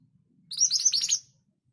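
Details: Scarlet minivet, locally called mantenan gunung, giving a powerful 'tembakan' song burst: a rapid run of high, sharp chirping notes lasting under a second, with a faint low hum beneath.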